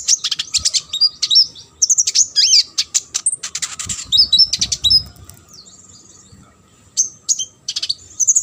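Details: Sunbird full song used to train competition birds: dense, rapid high twittering with chips and squeaky trills, a short pause, then renewed bursts of notes.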